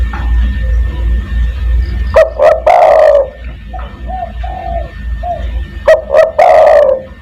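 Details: Spotted dove in a lure recording used to call other doves, 'kuk 1' style: two phrases, each two short clipped coos then a long, drawn-out, slightly falling coo, with softer low coos between, over a faint steady whine.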